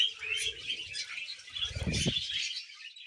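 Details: Happy budgerigar twittering in quick, grating chirps, joined by a brief low buzzy harmonic burst in the second half.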